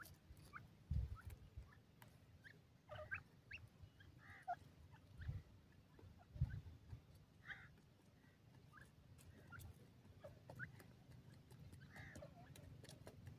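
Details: A female partridge (francolin) playing with her chicks in Pakistan gives soft, scattered clucks and short mid-pitched chirps at irregular intervals over a steady low rumble of background noise.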